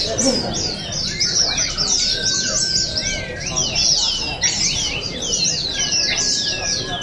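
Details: At a Sarawak singing contest in Balingian, 2023, oriental white-eyes keep up busy high-pitched twittering, quick descending chirps repeated densely, while long flat whistled notes and low crowd sounds run beneath.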